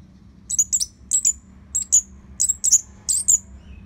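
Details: Orange-headed thrush training song used to provoke other birds into singing: a string of short, very high, sharp whistled notes, mostly in pairs, about eight bursts in under four seconds over faint background hum.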